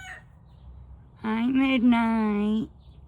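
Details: Young Turken chicken crowing at about 5 am while still learning: one loud, steady, nasal crow of about one and a half seconds, with a slight break in the middle, then quiet.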